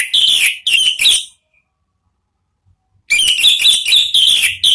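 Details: Orange-headed thrush song, described as the loud ringing "ngeplong" style used to lure and train kept birds: two bursts of loud, rich whistled and warbled phrases separated by about two seconds of silence.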